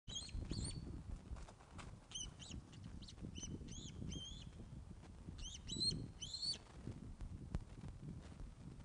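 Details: Ospreys at the nest, Loch of the Lowes webcam, 21 August 2012 at 16:35, during a fish delivery: two bursts of sharp, arched whistled notes in quick series, with steady low rumble of wind and handling noise beneath.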